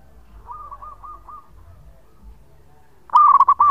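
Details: Local zebra dove singing for use as a lure: a faint series of looped coos early on, then a loud, close rolling burst of five quick cooing notes at the end.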